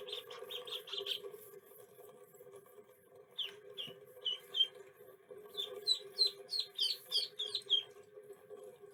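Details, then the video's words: Little duckling calling: short high peeps, a quick run of four, then scattered single chirps and a busier cluster of overlapping peeps near the end, over a constant low hum. "little duckling sound effects"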